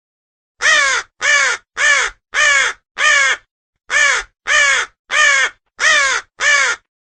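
A raven gives ten harsh, hoarse caws in two quick runs of five, with a brief pause between runs.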